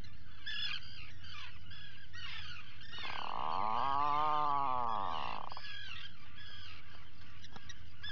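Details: Atlantic puffins at breakfast in their burrow, filmed by a burrow camera at 04:58 on 28 June 2019: one long, drawn-out, low groaning call with stacked harmonics lasting about two and a half seconds, over a steady chorus of higher squealing seabird calls.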